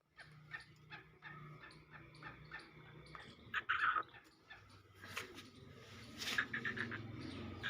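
Black francolin giving harsh, grating bursts that peak twice in the clip, over a run of dry ticking notes and a low background hum.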